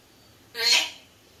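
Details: A pet sun conure gives a single harsh, rasping squawk lasting under half a second.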